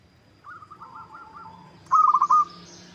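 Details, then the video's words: Local zebra dove cooing as a lure so that rival doves answer: a soft distant phrase of pulsed coos, then a louder close phrase of quick notes ending in a held coo. "Pancingan PERKUTUT LOKAL Agar Bunyi 100% Ampuh! bikin lawan nyaut."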